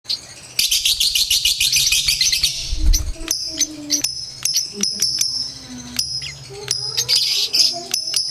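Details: Lovebirds recorded as long-lasting bait for competitions: a dense burst of shrill, buzzy chatter for the first two and a half seconds, then scattered sharp, high chirps and short rising notes, with a low thump near three seconds.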